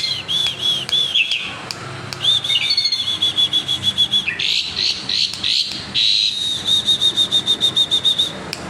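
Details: Asian pied starling learning to copy other birds' songs: long steady high whistles alternating with rapid pulsed chattering trills, over constant low background hum.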